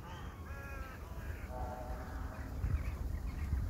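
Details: Crow calls outdoors: two drawn-out, nasal, banded caws, then softer calls fading, set against a steady low rumble that grows louder toward the end.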